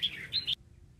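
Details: Red-whiskered bulbul kept on a bird farm, smallest of its three branches; one quick bright whistled phrase of three notes, dipping then rising, lasting about half a second, followed by quiet.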